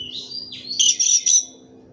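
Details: Brief Oriental magpie-robin phrase: a rising thin whistle followed by three harsh, buzzy high bursts in quick succession over a low steady hum.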